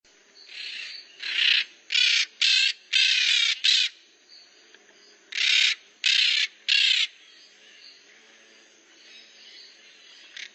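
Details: Maritaca parrots making noise: a run of harsh, raspy squawks in bursts of one to three, loud and broadband, with short pauses, then quieter chatter in the background.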